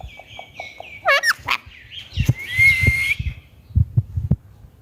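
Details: Pet talking Indian ringneck parakeet giving its natural voice: wavering, buzzy notes, then two steep swooping squawks, then a long sustained whistle that rises slightly, over steady low knocking thumps.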